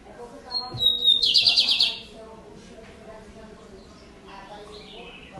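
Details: Caged lined seedeater, known locally as papa-capim, said by its keeper to sing all day. It gives a high steady whistle followed by a rapid buzzy trill, then quieter later notes over a steady background hum.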